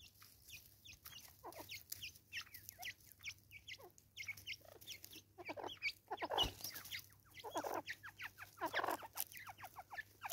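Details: Raucous cackling of Natal spurfowl, South Africa: quieter, continuous chatter of rapid harsh notes that swell near the middle and end, with a low steady hum underneath.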